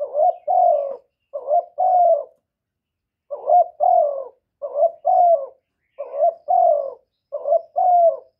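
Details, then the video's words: Young male spotted dove calling loudly, recorded without background noise: low hoarse coos in paired phrases, a short stuttered double note followed by a longer slurred, slightly falling coo, repeated about six times with a pause midway. "Tiếng chim cu đất gáy lớn tiếng, cu gáy thúc, cu gáy gọi, cu trống tơ gáy to, cu cườm gáy,cu đất gáy"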